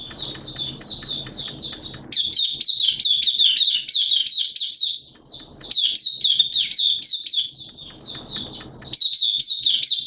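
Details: A kept Oriental white-eye in open song ('buka sing') on 11 September 2022, a day of wet, erratic weather; nearly continuous, rapid, high-pitched twittering, sweet rolling phrases strung together with almost no gaps.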